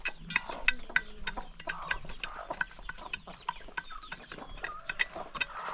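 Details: Hungry chickens gathered for their first meal of the day, with scattered clucks and brief calls over busy pecking taps during the morning feeding.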